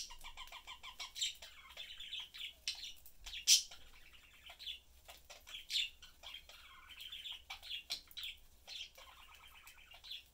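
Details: Budgerigar family of father, mother and chick chatting while eating indoors; steady warbling, buzzy chatter with rolling trills and intermittent sharp chirps, some soft lower warbles.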